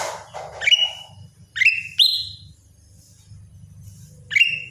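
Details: Greater green leafbird producing a few loud whistled sweeps that fall then hold a high ringing tone, separated by gaps, over a rumbling low background and an early noisy burst.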